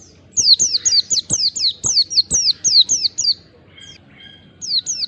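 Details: Lure song of an Oriental white-eye meant to make other white-eyes answer: loud string of quick, high down-slurred whistles for about three seconds, then a pause with softer lower notes before two more whistles.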